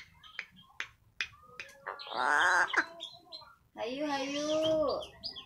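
An Eclectus parrot imitates human speech in two drawn-out, voice-like phrases, after a run of sharp clicks and short chirps.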